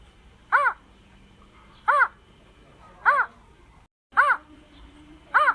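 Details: A greater painted-snipe giving its "kong kong" call: five short, hollow, arched hoots, evenly spaced about every 1.3 seconds, over a faint background hum.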